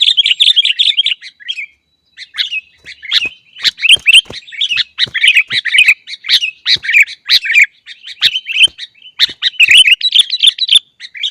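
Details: Sooty-headed bulbul (kutilang) in a cage, a lure recording for training birds to sing: long busy stretches of bright chirping and slurred chattering notes, broken by a brief pause, with soft clicks throughout.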